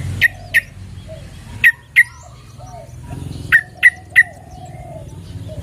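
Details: Female sooty-headed bulbul calling for a male, uttering short sharp chip notes in loose pairs and a triplet, with quiet low rumble between them.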